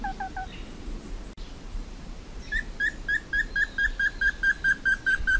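Slaty bristlefront singing: a few lower notes, then a steady run of about a dozen sharp, ringing whistles, roughly four each second, over faint background hiss.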